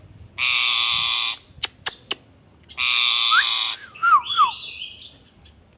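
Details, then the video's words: ['Indian ringneck parakeet giving two long harsh screeches separated by sharp clicks, then a looping, wobbling whistle that rises and dips.'] "ringneck |talking"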